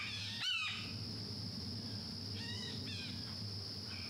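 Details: In woods on the Mahogany Hammock boardwalk trail, Everglades National Park, a Red-shouldered Hawk gives one loud, ringing, slurred scream, then two or three fainter repeats, over a steady high insect drone and low rumble.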